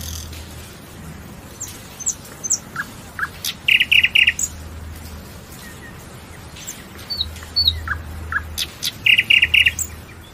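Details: Nightingale song: two bursts of loud, chunky repeated notes, each delivered in a quick cluster of about five, separated by scattered thin high whistles and short slurred notes, over a low steady background hum.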